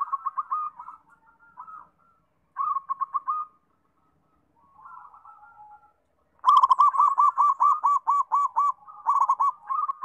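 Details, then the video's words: Perkutut, or zebra dove, in full song: short bursts of quick, rolling cooing notes with quiet gaps between them. A loud, fast, sustained run of rhythmic coos follows, with a few brief high ticks. "PERKUTUT SUPER GACOR, BIKIN RAME"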